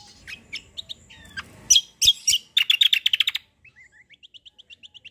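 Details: Black-winged myna in a rolling, fighting-style song: mixed chirps and whistles, then a fast rattling burst of loud sharp notes, ending in a neat series of thin, high repeated whistles.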